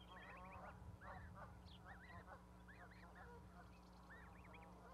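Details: Goslings peeping on an osprey nest platform in Charlo, Montana, with a parent close by, 12 May 2020. There are dense, overlapping high arched cheeps in quick clusters, about four a second, over a low hum.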